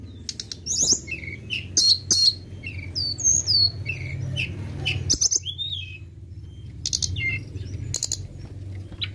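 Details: Flowerpecker lure song of sharp high chirps and curling whistles, busy at first, then sparser clicks and ticks over a low hum.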